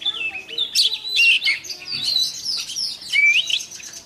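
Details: Oriental magpie-robin decoy bird singing its morning voice-training song, meant to fire up other birds; rich whistled phrases with sliding notes and quick chattering trills, high and clear, in loose bursts.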